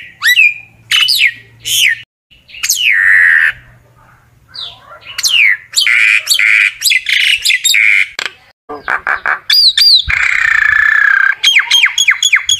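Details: Common myna song used to call the flock, mixing loud descending whistles, harsh grating squawks and chattering phrases with short pauses, ending in a quick string of falling notes.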